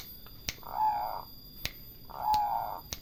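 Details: Two even, sustained coos from a turtle dove, each lasting about half a second and spaced well apart, punctuated by sharp isolated clicks.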